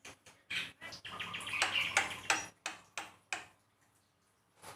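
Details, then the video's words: Javan myna master song meant to encourage pet birds to sing: loud, scratchy bursts blending into a noisy, rasping phrase, then evenly spaced harsh clicks fading out. "masteran burung jalak kebo"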